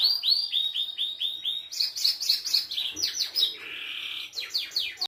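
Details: Belgian canary with a distinctive song: a run of evenly repeated downslurred whistles, then a higher quick chattering passage, a brief buzzy trill and a few sharp closing notes.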